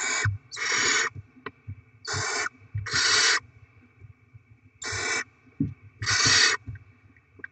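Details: Barn owls with chicks being fed rodent deliveries; paired rasping hissed screeches, short then longer, repeated three times with pauses, low shuffling underneath.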